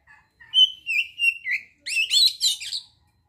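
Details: Oriental magpie-robin song used as a lure to stir breeding urge and aggression in young birds: a few clear, drawn-out whistles, then a rich, rapid warble of high, twisting notes.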